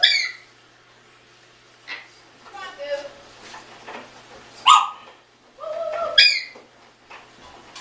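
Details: Adopted 16-year-old African grey parrot indoors, talking and asking the same question over and over while its owner cleans. Short, clipped, high voice-like phrases with stacked harmonics and a few ringing tonal notes, separated by pauses, with a woman's voice answering.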